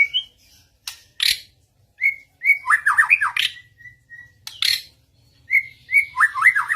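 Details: White-rumped shama, another bird joining in and answering a master recording: clear whistled notes near one pitch alternating with rapid descending warbled phrases, interrupted by several sharp broadband clicks.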